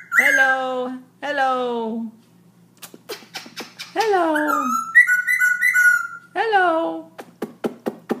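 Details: At 11pm a Black-throated laughingthrush keeps up its night song: long harmonic, slightly descending whistled notes, then a burst of sharp clicks, rising-falling phrases and a quavering trill, ending in rapid clicking notes; faint steady hum behind.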